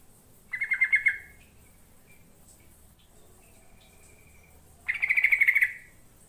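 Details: Yellow-vented bulbul singing, a recording meant to lure birds into calling back: two bright bubbling phrases of rapid chattering notes, each under a second, separated by a four-second pause with a faint whistled tone.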